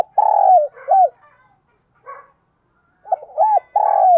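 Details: Spotted dove kept as a decoy bird, calling in the morning: two loud, mellow cooing phrases, each a short note then a long falling coo and a final upturned note, separated by a quiet pause with soft sounds.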